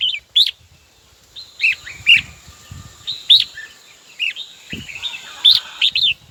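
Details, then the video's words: Red-whiskered bulbul singing to call a rival: short bright whistled phrases around the upper register, rising and falling notes repeated in bursts every second or so, with a faint steady high hiss behind. "Chào mào gọi bổi tố chất nhất"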